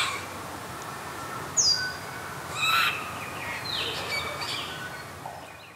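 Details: Apostlebird (Struthidea cinerea) at Takarakka Bush Resort, Carnarvon Gorge, Queensland, Australia, 21 July 2019 at 07:50, gives a few scattered harsh, rasping notes and a sharp high squeak over a steady hiss of background noise.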